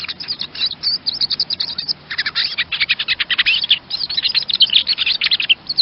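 A Common Chaffinch gives bright, rapid chirping notes in quick bursts, pausing briefly around the two-second mark, then running on in dense, high twittering phrases.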